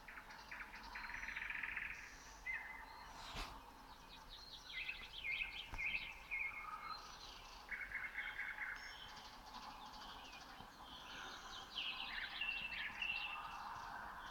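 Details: Night chorus at 3 a.m., 27 May 2018, Red Hill near Moscow, Russia, led by common nightingale song: varied whistles, clipped repeated notes and rapid trills in short phrases, with other birds overlapping and two sharp clicks.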